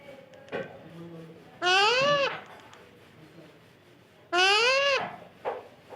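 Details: Pet parrot calling twice, each a loud, harmonic, arching squawk of roughly half a second, with brief softer notes before and after, indoors.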